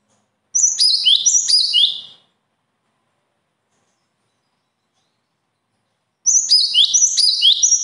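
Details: Songbird phrases, said to show natural talent, in two short bursts of high, descending chirped notes around 0.5–2 s and again from 6 s, with silence between.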